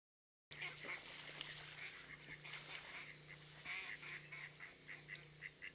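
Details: On 5 May 2021 in Plainfield, New Jersey, a first brood of mallard ducklings emerging from a nesting tube gives a steady stream of high, thin, overlapping peeps, several each second, over a faint low hum.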